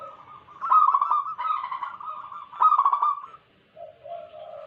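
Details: Wild local zebra doves in a lure for trapping, pouring out rich bubbling cooing trills in three bursts, followed by quieter low coos.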